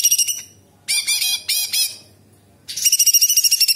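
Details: Cucak cungkok bulbul in lively song, with imitations of other birds and insects. Short harsh chattering phrases separated by gaps, then a rapid, high, ringing trill of repeated pulses.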